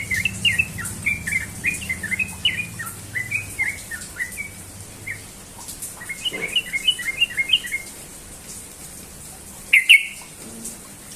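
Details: Morning song of a Sooty-headed bulbul: two fast bursts of chattering, bubbly whistled notes, the first lasting about four seconds, the second about two, then a short loud sharp note near the end, with low background hum.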